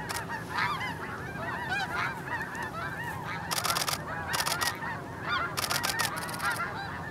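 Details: Snow Geese blasting off early in a flock at Hagerman National Wildlife Refuge: a dense chorus of overlapping nasal honks with bursts of broadband rushing noise as the birds lift off.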